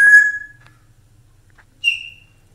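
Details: Pet African grey parrot, kept at home and taught to talk in Urdu, gives two short whistles: a steady mid-pitched tone fading after half a second, then a higher, briefer whistle, with a pause between.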